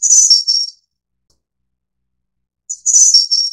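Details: Snowy-browed Flycatcher of the Taiwan endemic subspecies Ficedula hyperythra innexa: two very high, thin, slightly buzzy phrases, each a short run of descending whistled notes, about two seconds apart over a silent background.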